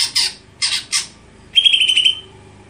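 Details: Greater green leafbird giving three harsh, broad squawks, then a bright, pulsed, slightly falling whistled trill of about half a second, sung over a faint low hum.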